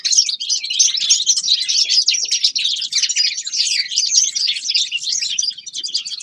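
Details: Forest birds singing in winter: continuous fast twittering and rolling high trills, several birds overlapping, tapering slightly in the last second.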